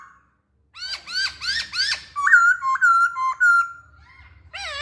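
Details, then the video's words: Masked laughingthrush singing to trigger song in other birds: four bright hooked whistles, then three clear level whistled notes and a loud wavering call at the end. "Burung Poksay Hongkong Gacor"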